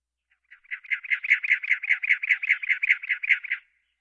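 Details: A Cactus Wren, an iconic desert Southwest sound, gives a harsh, chugging run of about sixteen raspy notes, around five per second, steady in pitch for three seconds, with no other sounds.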